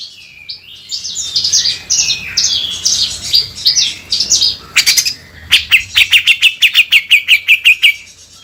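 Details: Cucak jenggot (grey-cheeked bulbul) singing for birdkeepers' training in coarse 'beset kasar' style: a string of short upslurred whistles, then a steady series of about fifteen sharp rasping notes, roughly two per second.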